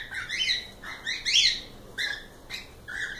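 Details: Cockatiels give a lively series of harmonic, whistled squawks, with loud upward and downward sweeping notes in quick succession and brief pauses between them.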